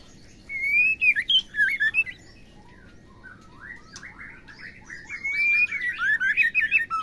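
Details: Oriental magpie-robin female, played to provoke males to sing: a clear whistle and tumbling scratchy notes, a quieter stretch of soft chatter, then a dense burst of rapid, varied warbling phrases.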